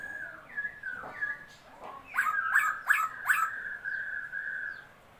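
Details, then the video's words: Laughingthrush song from a newly obtained bird, February 2022: wavering whistles build into four rapid harsh, ringing notes, then a long, steady whistled tone that fades out. "noog sab hwj quaj, noog tshiab xwb(khướu mun hót chim mới)"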